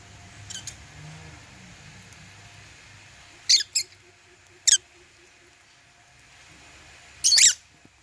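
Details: African lovebirds at meal time, eating holy basil; loud, piercing high chirps come in short clusters, a double and a single in the middle and a rapid burst near the end, over quiet indoor noise.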